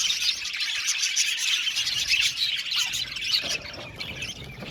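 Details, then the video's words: Budgerigars in an aviary colony, a dense, continuous chatter of high twittering chirps and warbles overlapping without pause, easing slightly toward the end. "Beautiful budgies singing sound | budgies chirping sound"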